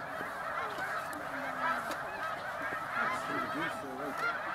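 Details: Roosting snow geese at sunset, Middle Creek Wildlife Management Area, USA: an unbroken chorus of honks, with several lower, drawn-out nearer calls rising and falling through it.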